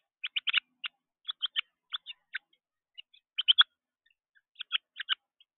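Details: Carolina wren juvenile flapping excitedly at a bird feeder, uttering short raspy chatter notes in small groups of two or three, with uneven gaps between them.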